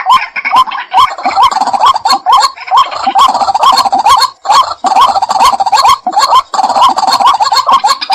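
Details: White-breasted waterhen calling: dense, overlapping croaking notes hooked upward, repeated about twice a second, with sharp clicky bursts over a continuous harsh background chatter.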